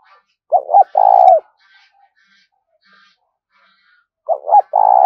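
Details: Spotted dove giving urging and luring calls, used as a decoy to draw in other doves: two short, rising coos followed by a longer, trilled, drawn-out coo, and the phrase then starts again after a pause of about three seconds.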